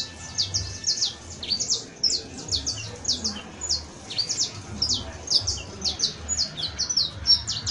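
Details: Canary recorded on 31 December 2022, New Year's Eve, giving a run of short, sharp, high chirps and downslurred notes at an uneven pace, with a faint low rumble underneath.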